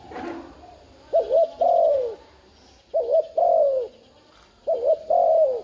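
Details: Repeated urging coos of a spotted dove, played to make a newly caught dove respond: an initial rustle, then three phrases about 1.8 seconds apart, each a short double hoot followed by a drawn-out falling coo.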